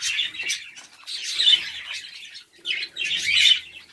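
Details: Several budgerigars from a home hobby breeding setup give bursts of harsh, chirpy warbling, with a loud surge near the start, another mid-clip and a strong final flurry after a brief pause.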